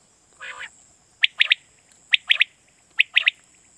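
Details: Quail call used in Pakistan to lure quail for night hunting: a soft nasal note, then three sharp whistled triplets, each a quick 'pwit pwit-pwit' about once a second, with a steady high hiss behind.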